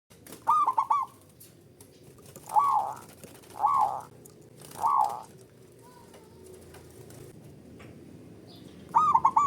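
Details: Male zebra dove calling in the ngerot ngoar style, played to raise the spirit and mating drive of a dove that calls little: several short bursts of rapid, throaty cooing notes, each a quick stuttering run, separated by pauses, with faint background noise.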